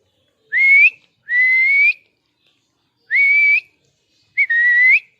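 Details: Parrot in an angry mood giving four short whistled notes that rise slightly at the start, delivered in two pairs with a pause between.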